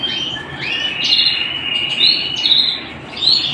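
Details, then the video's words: Canary song at home: a low trill steps up into a bright warbling trill, with crisp high chirps repeated about every second. "canary singing at home"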